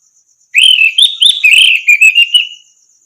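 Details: Orange-headed thrush song used to train other songbirds: a single two-second phrase of flowing warbled whistles and quick stuttered notes that fades away on a long level tone; faint steady high ticking behind.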